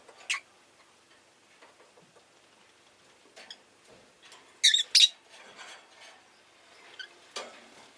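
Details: A rosy-faced lovebird making scattered high, harsh chirps, including a loud double chirp in the middle, separated by quiet scratching and ticking sounds.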